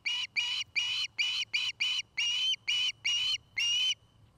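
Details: Osprey at a nest in Charlo, Montana, filmed by a nest camera dated 09-05-2018: about a dozen shrill, piping whistles, unevenly spaced, the last few longer and drawn out, then quiet.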